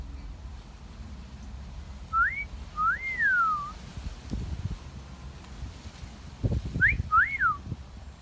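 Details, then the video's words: Parrot in a garden giving two wolf whistles, each a quick rising note then a longer up-and-down swoop. Some low thumping noises sound between them. "Parrot Wolf Whistling"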